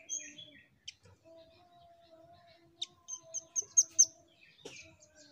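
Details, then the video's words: Velvet-fronted nuthatch calling to prompt other birds to sing: thin high chirps open, then a run of rapid, piercing high notes building to the loudest pair, followed by a buzzy descending note, with a faint steady hum underneath. "Suara Burung Rambatan Untuk Pancing Bunyi"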